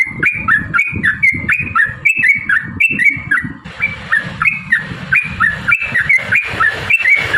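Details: Sooty-headed bulbul giving a fast, long 'ropel' song used to coax other bulbuls to answer: repeated clear whistled two-part notes over steady low rumbling background noise.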